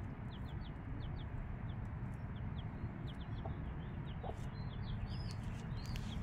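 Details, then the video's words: Mother hen with chicks five days old; rapid scattered high cheeping notes, each a brief falling slur, and a couple of soft low clucks midway, all against constant deep rumble. "25 minutes of 5 day old chicks and mother hen"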